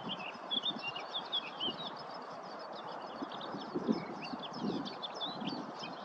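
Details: Garden warbler singing while collecting nest material at Viersels Gebroekt on 27 April 2021: a continuous, fast, scratchy warble of short rising and falling notes, fairly faint, over steady low rumbling background noise.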